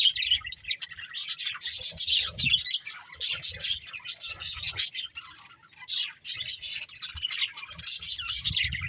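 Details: Budgies chattering in long stretches of buzzy, rasping warble and thin squeaks, interrupted by a short quiet gap before the noisy chorus resumes.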